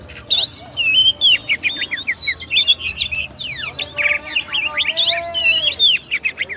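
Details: Kacer, the oriental magpie-robin, delivers a masteran song of rapid, varied whistled phrases. Sweet slurred notes alternate with short sharp chips in a continuous, busy stream.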